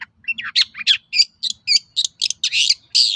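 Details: Lure song of a long-tailed shrike, meant to draw replies from rival shrikes. It gives a rapid, varied string of short scratchy and whistled notes, about three per second, with no steady rhythm.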